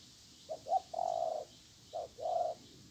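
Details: Wild spotted dove, an aggressive territory-holding bird with a good voice, answering a weak decoy during trapping. It gives a low hooting coo: two short notes, then a longer drawn note, a pause, then one short and one long note, over faint hiss.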